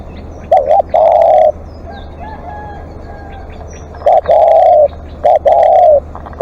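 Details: Long calling from a live decoy spotted dove: a double hooked coo leads into a sustained mellow note, and the phrase is repeated. Faint thin chirps of other birds are heard between phrases.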